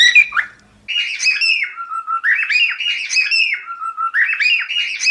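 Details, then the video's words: Cockatiel in song training giving a looping phrase of buzzy warbles that dip into a lower held whistle, repeated three times with barely a pause. "Aprenda Como Ensinar a Calopsita a Cantar"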